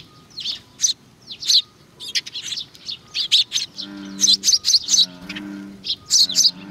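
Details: Busy sparrows coming to be fed at Tenmangu, Nakanoshima, on 21 June 2020, giving lively high chirps in quick clusters, while a low humming tone sounds partway through.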